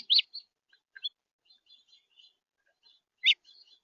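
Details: Red house finch from central Florida: a loud sharp chirp opens, then soft high twittering notes and faint calls, and another strong chirp near the end.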